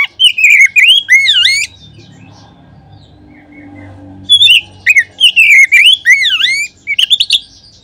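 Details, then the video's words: Oriental magpie-robin singing, a lure meant to stir other magpie-robins into song. A quick run of swooping whistles is followed by a quiet spell with soft background hum, then another lively burst of varied whistled notes. "Kacer manapun seketika terangsang berbunyi dengan pancingan ini."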